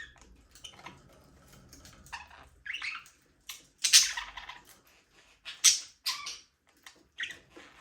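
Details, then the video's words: Budgerigars, Australian parakeets, free flying in a small aviary: scattered raspy, squawky chirps and short buzzy chatter bursts at irregular intervals, some louder harsh notes between quieter ticks, no music. "Budgies parrot #chirping sound for your alone"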